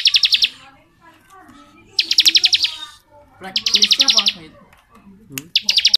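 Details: Long ngebren singing by a bar-winged prinia: four short bursts of rapid, high, rattling notes spaced by quieter low chatter.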